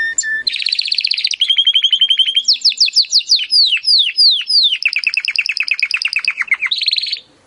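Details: Timbrado canary training song for improving canaries' singing: a short low whistle, then rolling trills, a series of loud descending swooping notes, a long fast pulsing roll and a final dense trill.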